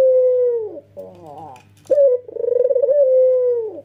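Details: Energetic nodding coo from a white, red-eyed male Barbary dove: a long even hoot that sags at its close, a soft wavering churr, then a sudden clipped note and a long vibrating coo.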